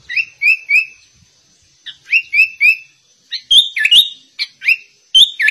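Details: Sooty-headed bulbul singing in a style imitating the white-rumped shama: clear whistled notes sliding upward, grouped in quick runs of three, then a burst of sharper, twisting phrases.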